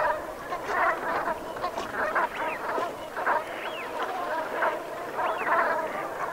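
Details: Brent geese flock at sunset in autumn, Gulf of Morbihan, Brittany, 7 November 2021: a steady chorus of gruff rolling calls, crossed by a few clear rising-then-falling whistled notes.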